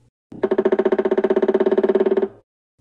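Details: A pileated woodpecker (Dryocopus pileatus) drums a loud, rapid roll of about fifteen hollow knocks per second, lasting nearly two seconds and fading at the end, to locate a mate or defend territory.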